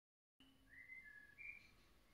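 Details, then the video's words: A blackbird sings a brief run of clear, fluted whistles, sliding and wavering in mid-high pitch, lasting under two seconds, with faint background hiss. "Blackbirds song"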